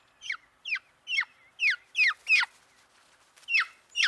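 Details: Black-throated magpie-jay calling in a rapid run of squawky, down-slurred notes, about eight in four seconds and nearly evenly spaced; the middle notes are loudest and most ragged, over a faint steady background hiss.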